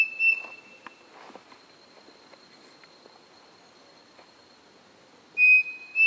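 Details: Pavonine cuckoo in Floresta Estadual Edmundo Navarro de Andrade, Rio Claro, São Paulo state, 23 August 2018: a clean whistled note, a long quiet gap with faint forest ticks and a constant high hum, then two more level whistles.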